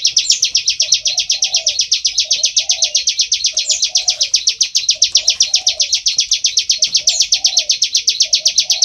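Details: Bar-winged prinia in full ngebren, a loud continuous song: fast, evenly repeated high chips, roughly eight a second, running unbroken throughout, with faint low warbling murmurs in the background.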